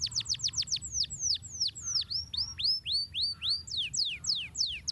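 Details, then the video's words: Canary master song for training birds: rapid sharp downward whistles that slow into longer rising-then-falling slurred notes, then quick descending sweeps again, all clear and loud. "Masteran Kenari Gacor Ngeroll Nikmat"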